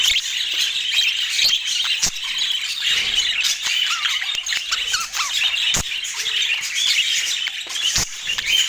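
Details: Budgies in Portland keep up busy, continuous warbling chatter of high squeaky notes and quick chirps, broken by sharp clicking taps.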